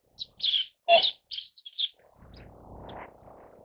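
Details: A Siberian white crane gives a quick series of loud, honking, trumpet-like notes over under two seconds, the middle one strongest, followed by a low rumbling background noise.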